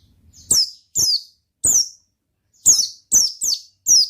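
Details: Oriental white-eye delivering ngalas song, seven loud, high, falling chip notes spaced about half a second apart, with a faint low rustle at the start.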